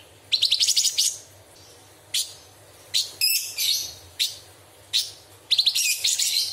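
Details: Cucak cungkok bulbul in a training recording for other songbirds, singing sharp phrases: quick stuttering trills of high notes, separated by short single sharp notes and a brief whistle, in a steady series.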